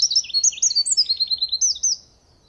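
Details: Eurasian wren song, sung by males marking territory: very high, clear notes in quick succession, with upward and downward flicks. They form a rapid, loud run of about a dozen notes lasting two seconds, then the song stops.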